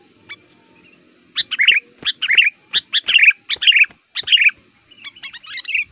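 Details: Sooty-headed bulbul used as a lure for wild males, producing dense sharp chirps and warbled phrases in quick succession, pausing briefly before a final softer run.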